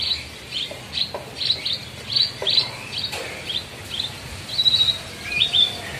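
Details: Kept Javan bush lark of the spotted type sings steadily: rapid high chirps and short whistled slurs repeated several times a second, with a few longer clear whistles near the end.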